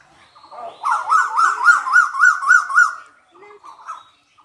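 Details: Asian koel (koyal) calling: a quick series of eight arched, whistled notes at a steady pitch, about four per second, then a few fainter, broken notes trailing off.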